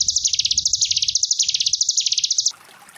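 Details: Tutor song of a Sunda bush warbler, ngebren gelombang tawon style, meant for training young caged ciblek: dense high buzzing trill rising and falling in waves, cutting off abruptly into a soft hiss like running water.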